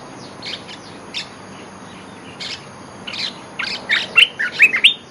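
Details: Olive-winged bulbul song used as a lure: scattered soft chirps at first, then a lively cluster of sharp, bubbling and whistled notes near the end, with a faint constant hum beneath.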